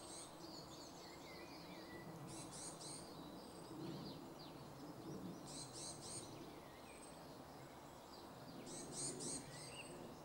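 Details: Eurasian jay in a small wood by Jarun, Zagreb, Croatia, on 8 March 2016, giving short, harsh rasping bursts about every three seconds, with faint small-bird twittering and a low rural hum behind.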